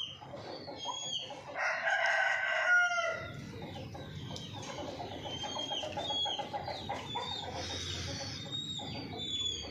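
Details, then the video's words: Chicken gives a loud, harsh, drawn-out squawking call, then a run of quick, rhythmic clucks. High whistling birds sound faintly behind it. "hen sound effect"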